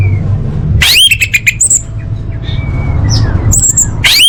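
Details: Loud, imitation-rich orange-headed thrush song for competition training: sweeping upward squawk-like notes, staccato chips, a thin level whistle in a quieter pause, then another rising sweep at the end.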